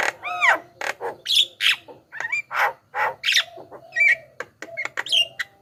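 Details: Javan myna song for luring wild mynas: varied mix of looping whistles, harsh rasping bursts and short sharp chirps in quick succession, with a faint low hum beneath.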